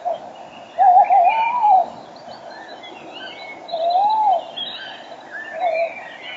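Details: Male tawny owl close up with a female farther off, 06:34 on a March 2013 spring morning. A long wavering hoot, a softer arched hoot a few seconds later, then a faint short one, over busy dawn-chorus birdsong.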